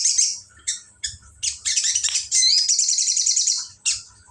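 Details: Ciblek-style song from a sooty-headed bulbul: scattered short high chirps give way to a fast, rattling, high-pitched trill lasting over a second, followed by a few more clipped notes.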